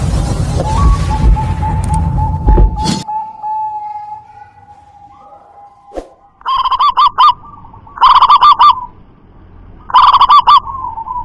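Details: Local zebra dove with a loud, far-carrying voice. Rumbling noise and a steady tone come first. Then, from about six seconds, loud, overdriven trilled cooing bursts repeat roughly every two seconds.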